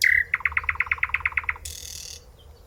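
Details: Nightingale singing at close range: a sustained whistled note, then about eleven rapid, evenly spaced bright notes, ending in a short harsh buzzy burst over a low background rumble.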